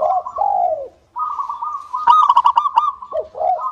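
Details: Zebra dove of local stock used as a singing lure for other doves. Two falling coos, a brief pause, then a long rapid rolling trill that ends in further short coos.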